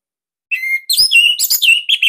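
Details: Orange-headed thrush of the Bali type, song used as a master recording to coax captive birds into singing, described as unique, tight and loud: one long steady whistle, then a rapid run of bright, varied, shifting whistled notes.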